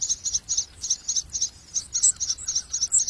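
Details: Common myna chicks being fed a lizard by a parent, giving rapid, repeated high-pitched buzzy begging notes, about four per second, steady and insistent throughout.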